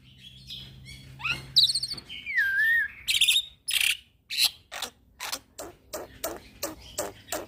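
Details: Young black-winged myna, used as a lure and model for training birds: warbled trills and a long slurred whistle, then a steady series of short, harsh chattering bursts about twice a second.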